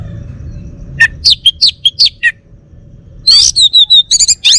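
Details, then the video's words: Home-kept male orange-headed thrush of the Bali type sings quick alternating chirps and slurred whistles, pauses briefly, then a harsh buzz leads into ringing, evenly repeated high whistled notes. "Kicau Burung ANIS MERAH Bali Jantan"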